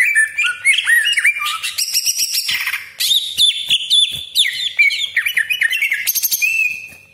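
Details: Cucak ijo, the greater green leafbird, in full 'gacor' song with harsh 'besetan' and long rolls: dense run of slurred whistles, chattering notes and rasping bursts, nearly continuous with brief breaks.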